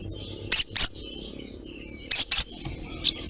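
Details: Calling female ruby-throated myzornis, addressing a male, gives two quick pairs of sharp high chirps, 'cret cret', followed by a short bending higher note.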